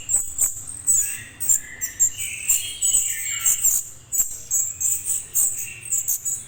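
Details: Juvenile orange-headed thrush calling, used to draw a response from adult birds: short, scratchy chirps, some rising and falling, repeated irregularly at mid pitch over a constant high insect buzz and faint low hum.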